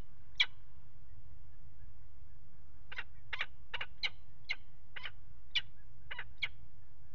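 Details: Nest box camera at a water tower in Axel, Netherlands, 5 February 2018, peregrine falcon pair mating on the ledge: one call, a pause, then a rapid run of nine harsh chattering calls over a low hum.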